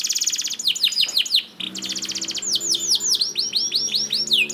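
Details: Canary song used as a training master to get other canaries singing: fast trills of repeated descending sweeps, rapid buzzy rolls and high whistled notes, with a faint low hum beneath.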